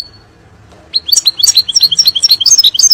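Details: European goldfinch singing a 'nar' (fire) style song meant for teaching young birds: after a near-silent start, a fast, uneven run of high, bright twittering notes and chirps, about three per second, runs steadily to the end.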